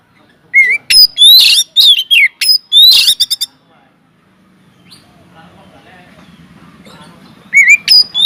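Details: Kacer, the white-rumped shama, singing in an aviary as a lure for other birds: a burst of shrill whistles and buzzy, rasping notes, then a quiet stretch with a faint low murmur, before rising whistled phrases resume.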